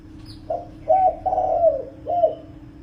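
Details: Spotted dove calling to lure wild birds: a short phrase of low, soft, rounded coos, the middle note drawn out and slightly falling, over a constant electric hum.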